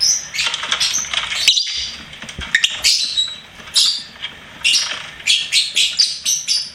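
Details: Pet lovebird singing and chirping, with dense strings of high, scratchy chirps and squeaks, the busiest runs at the start and near the end, broken by short quiet gaps.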